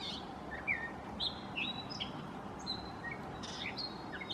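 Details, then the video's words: A gray catbird sings like a mockingbird, stringing together varied mimicked phrases: thin whistles, squeaky chips and short slurred notes in an irregular sequence, against soft outdoor noise. "Gray Catbird Song"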